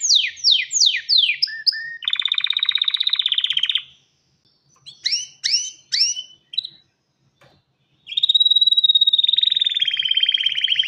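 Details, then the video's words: Male canary singing to court a female and prompt nest building: a run of rapid descending whistled sweeps, then a long buzzy roll, a pause, more swooping notes, and a final high rattling trill. "تغريد كناري ومناداة للتزواج"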